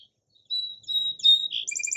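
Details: Short song sparrow phrase: a thin steady high whistle, a brief buzz, then quick repeated chips ending the fragment abruptly.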